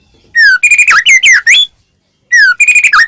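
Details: Caged white-rumped shama singing to stir other shamas into song: a falling whistle followed by a tumbling run of varied whistled notes, then the phrase begins again.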